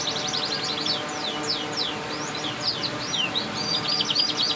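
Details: Canary twittering a varied sequence of quick sweeping notes and short trills over a steady background hum and faint music-like tones.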